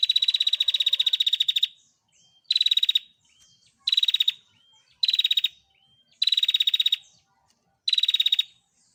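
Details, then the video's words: A female bar-winged prinia, kept for tutoring cage birds, gives six rapid buzzing trills of quick ticking notes, each lasting under a second to about one and a half seconds, separated by brief pauses with faint soft upslurred notes between them. "SUARA BURUNG PRENJAK BETINA"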